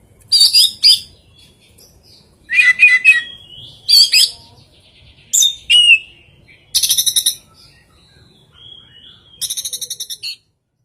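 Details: Oriental magpie-robin with an unusual song and rare imitated phrases: loud, varied bursts of rich whistles, harsh rasping notes and rapid stuttering trills, each burst under a second long, separated by quiet gaps of about one to two seconds.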